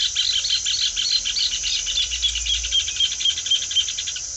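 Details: Rufous hornero singing a rapid, continuous rattle of bright, clipped notes, evenly paced and metallic, filling the whole stretch with faint low background hum beneath.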